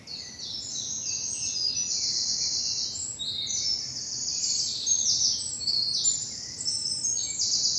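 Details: Birdsong at early morning in spring in bluebell woodland of southern England, a dense overlapping chorus of high-pitched chirps, trills and twittering that runs continuously without pause.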